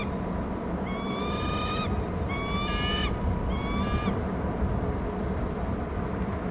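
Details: Loud calling from a Bald eagle off its Hornby Island nest, near the waterside: three bursts of rapid, piercing, stuttering whistles roughly a second apart, each slightly rising, over constant low rushing noise.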